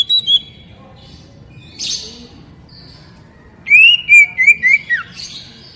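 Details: Oriental magpie-robin song meant to trigger untrained caged birds to answer and sing. Brief whistles and a raspy burst lead into a loud run of five or six rising, slurred whistled notes with a few high chips.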